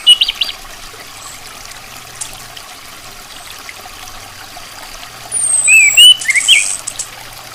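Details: Female orange-headed thrush calling: a brief chirp at the start, then after a quiet stretch a cluster of short, sharp, twisting chirps with a thin, very high whistle over a faint low hum.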